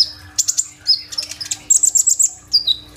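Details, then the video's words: Purple-throated sunbird (kolibri ninja), a lively singer used to stir other birds into song, phone-recorded; dense burst of very high, thin chirps and squeaky trills, ending in quick repeated sharp notes over a low hum. "BURUNG KOLIBRI NINJA GACOR FULL TEMBAKAN ISIAN ROLL TEMBAK"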